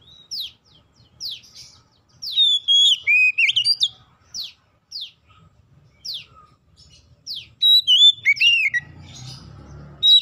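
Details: Oriental magpie-robin singing as a lure to make untrained magpie-robins sing: sharp downslurred notes about every second, broken by two dense bursts of sweet warbled whistles, with a soft low hum near the end.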